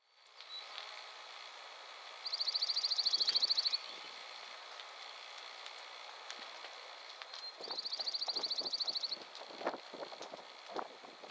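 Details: Dark-eyed Junco calling at Carpenter Mountain fire lookout, H.J. Andrews Forest, Willamette National Forest, Oregon, USA: two dry, even trills of rapid high notes, each about one and a half seconds long, with faint rustling and clicks between.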